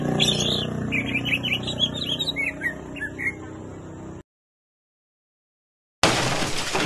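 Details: Greater green leafbird song of rapid twittering, slurred notes dropping gradually in pitch over steady background noise, then a sudden cut to silence and a burst of noise.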